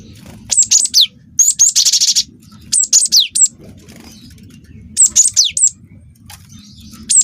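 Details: Energetic song of a juvenile cinereous tit of the wingko kind, meant to set other birds singing: clear high whistles in three- or four-note groups with downslurred endings, and one harsh buzzy roll.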